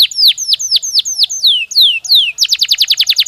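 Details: Canary song played to stimulate breeding and raise bird activity: rapid series of sharp descending whistled sweeps, then a fast trill of short repeated notes near the end.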